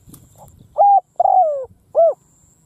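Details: Decoy spotted dove cooing loudly in an open field to lure wild doves: three low cooing notes, a short level coo, a longer falling rolled coo, then a short arched coo, with faint rustling before.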